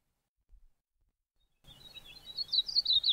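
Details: Yellow-bellied eremomela in the southern Karoo sings a quick, high warbling phrase of thin, tumbling notes after a second and a half of silence.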